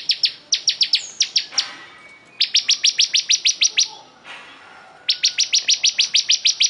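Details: Bar-winged prinia, a crystal ciblek singing vigorously; long runs of rapid, sharp, high chip notes repeated about three per second, broken by brief pauses and a thin high whistle near the start.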